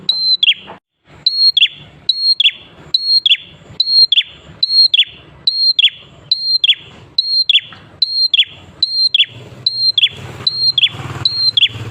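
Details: Prinia, locally prenjak klawu or prenjak atas, singing steadily as a lure to set other prinias singing: a clear high whistled note then a sharp downward buzzy flick, repeated about every 0.7 seconds, loud and close.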